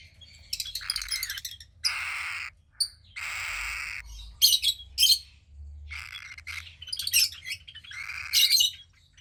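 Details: Cockatiel chick roughly 15 days old, daughter of pied cockatiel parents, producing repeated grating, hissing rasps mixed with bright piercing chirps, the bursts tumbling quickly over each other.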